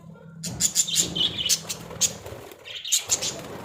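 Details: Caged Australian budgies: after a short silence, a series of sharp, bright high chirps and squeaks in quick clusters, pausing briefly before a final group.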